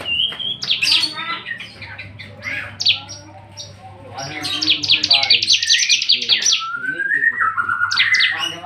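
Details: Free-flying Bar-winged prinia, released from a cage, in busy song: jumbled high chirps, a rapid series of repeated downslurred notes, then stepped falling whistles. Faint human voices and a low electrical hum run underneath.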